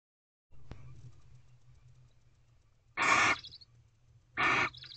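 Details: Wild female barn owl in a nest box at night, 9:25 pm on 16 April 2023, wary of someone on the box outside: two harsh, breathy hissing screeches about half a second long, spaced roughly 1.5 seconds apart, over a low hum.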